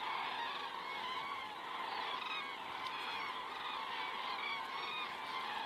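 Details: Common cranes passing over in the evening, Estonia, 19 September 2017, 19:10, from a crane camera; a dense, even murmur of many overlapping bugling calls, with a few sharper individual notes heard above it.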